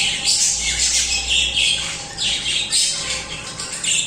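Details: Budgerigars chirping rapidly in a packed chorus, quick high scratchy notes and squawks rolling on without pause, with a faint low steady hum beneath.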